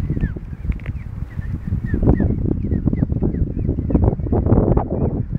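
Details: Geese crossing a car park in York, adults with young ones, causing a commotion: repeated short honks and squawks, some rising then falling, over heavy low rumbling background noise.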